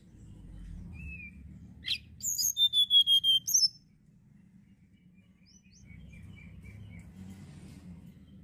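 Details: Amid a low background rumble, a Sunda blue robin bursts into about eight rapid, ringing high whistles in a row, with faint scattered notes later.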